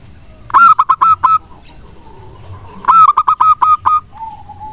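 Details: Local wild zebra dove in vigorous song, played as a lure to prompt lazy doves to reply and sing; two bursts of rapid staccato rolling coos at a steady mid pitch, separated by a quiet pause with a faint low hum.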